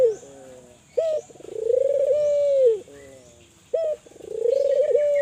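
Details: Spotted dove of the Kelantan type, calling vigorously and used as a lure to stimulate other doves to call. A short stuttered note starts each phrase, then a long low coo swells and holds steady. The phrase repeats twice with brief gaps.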